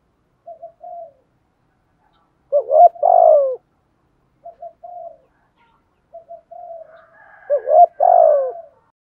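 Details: Decoy spotted dove giving thúc gù and gáy gọi coos meant to attract wild doves: soft short paired coos followed by louder, rougher, throaty coo phrases, the pattern repeating about every three seconds, clean background.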